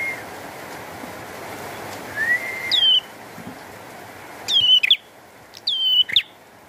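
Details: Bar-winged prinia singing energetically during rain: a few sharp, clear whistled notes with quick downward slurs, delivered in three short bursts a second or two apart over a steady hiss of falling rain.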